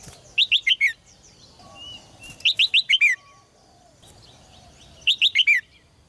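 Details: Red-whiskered bulbul in a cage, song meant to push male birds to sing hard: three quick phrases of four to five clear, descending whistled notes, each phrase about half a second, separated by quiet gaps.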